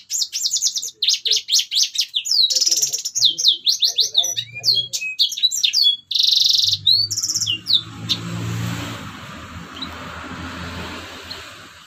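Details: Red siskin song played to train other birds: rapid high chirps and whistled slurs with a buzzy burst, fading after eight seconds into steady hiss and low background rumble.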